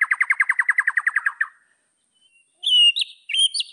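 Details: A white-rumped shama sings to provoke rivals: a rapid trill of about fifteen notes that fades out, a silent pause, then clear, high, slurred whistles with abrupt jumps in pitch.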